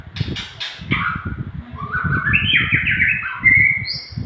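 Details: Long song of a Nias hill myna used to train cage birds: a fast series of bright whistles sliding downward, then level, ringing stepped notes, over steady low knocking and rustling sounds.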